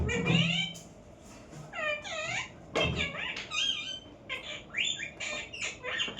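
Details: Parrot calling indoors: a series of harsh, harmonic squawks with arching, rising-then-falling notes, the loudest bursts near the start and middle, over a low background hum.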